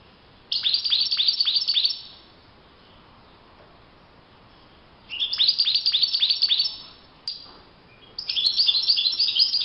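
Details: European goldfinch singing in the wild: three bursts of rapid, bright twittering notes, each about one and a half seconds long, high-pitched and liquid, separated by short pauses; a faint background hiss throughout.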